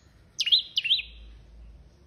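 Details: Orange-headed thrush, locally anis kembang, singing very persistently: two loud, high whistled phrases about a third of a second apart, each sliding sharply down and then holding a steady note, over a quiet background.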